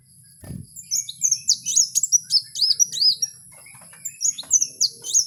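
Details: Kowul singing in the wild: a fast run of high, sweet whistled notes, many sliding down then up, in close bursts of two to four per second, over faint low rumble.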